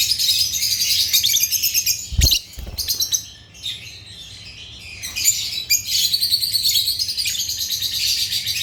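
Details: African lovebirds (Agapornis) chattering with rapid, high, scratchy chirps, a couple of low thumps near the middle, then a brief lull before the shrill twittering resumes densely.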